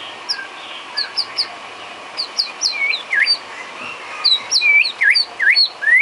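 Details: White-rumped shama filler song for training cage birds: scattered high chirps and short whistled notes, then a run of rising, looping whistles near the end. The phrases repeat irregularly over a faint steady background hiss.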